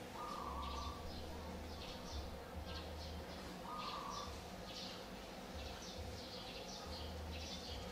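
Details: Olive-backed sunbird nestlings of a fourth brood, on day 14 of feeding, 4 March 2020, give high, thin chittering bursts repeating every second or so, over a steady low hum and two brief mid-pitched tones.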